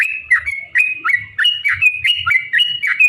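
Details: Fast, rollicking song of a yellow-vented bulbul, played to provoke rival bulbuls: a steady run of paired chirping notes, each sliding down then up, repeated about three times a second with faint low thumps.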